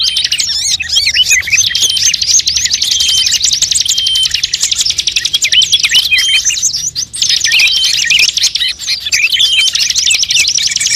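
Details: Mixed bird-luring track combining many songbird species including magpie-robin, shama, leafbird, drongo and bulbul; an unbroken wall of fast, high twittering and trills with short whistled slurs, briefly dipping near seven seconds.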